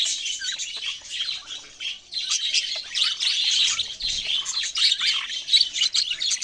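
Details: Chattering of Australian parrots, dense high-pitched chirps and warbles overlapping continuously, with several birds calling together and no clear pauses.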